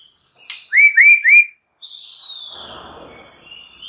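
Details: White-rumped shama song meant to provoke other shamas into singing: three clear rising whistled notes, then a long descending whistle fading over a rough, noisy background.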